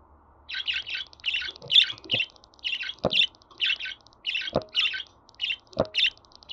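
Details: Budgerigar chatter played to encourage pet budgies to sing: steady, rapid, scratchy chirps about three per second, with rattling ticks and a few loud knocks.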